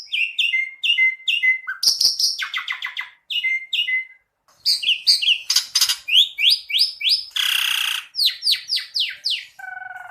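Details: Jalak suren (Asian pied starling) singing gacor: strings of bright repeated chirps, clicking rattles and one long rasping burst, delivered fast and varied, with one short pause midway.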